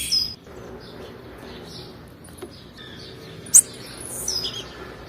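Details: Female blue-black grassquit call used to stimulate males. A crisp, very high chip sounds once mid-clip, bracketed by faint, thin, high whistles and steady quiet background.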